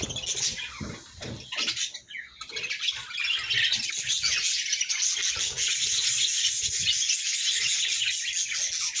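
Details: Budgerigar pairs keep up rapid chattering, fast buzzy twitters and chirps tumbling over one another, growing louder and denser after a short dip near two seconds.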